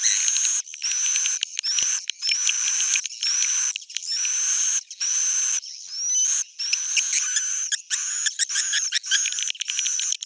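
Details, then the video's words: Original old-style swiftlet calls: repeated harsh, high buzzy bursts broken by short pauses, with thin upward-sweeping whistles and stretches of quick stuttering ticks toward the end. "SUARA JADUL Sudah Terbukti,swallow's original sound"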